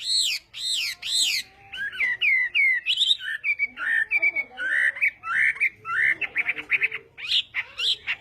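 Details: Chinese hwamei giving a morning voice-training song in Vietnamese contest style: a few loud whistled upsweeps, then varied twisting whistles and rapid buzzy trills, with a soft low hum underneath.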